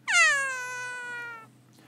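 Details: Kea in an aviary giving the quiet mew, a call most often made alone, away from other birds, perhaps a personal vocal muttering: a single drawn-out, cat-like mew about 1.5 seconds long, sliding gently down with rich harmonics.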